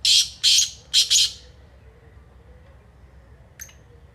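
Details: Black francolin, or kala teetar, heard giving harsh, scratchy, buzzing notes in a rapid run of four at the start, then silence and one faint thin high note near the end.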